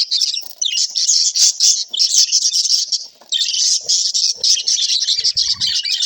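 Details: Pet budgies interacting give a dense, continuous warbling chatter of high chirps and squeaky twitters, with a short pause midway and faint low knocks near the end.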